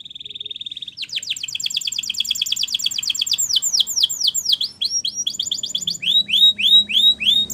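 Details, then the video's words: Gloster canary song meant for training young birds: a steady note near the start, then fast repeated sweeping trills changing tempo every second or two, ending with slower loud down-slurred notes. "Gloster Canary Singing For Training"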